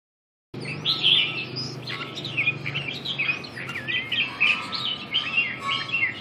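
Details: Red-whiskered bulbul with red eye-ring dancing on its perch, singing lively warbled phrases of bright, bending whistled notes, starting after a short silence, over a faint low hum.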